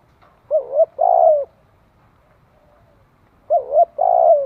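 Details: Spotted dove calling for decoy-bird training, two low coo phrases about three seconds apart, each a quick two-beat hooting note followed by a longer, steady, slightly falling coo, in quiet surroundings.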